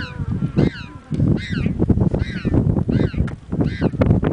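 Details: Penguins at Punta Tombo, Argentina, with chicks screaming to their mother for food: harsh braying notes repeated rapidly, overlapping calls from several birds, strong low rumble throughout.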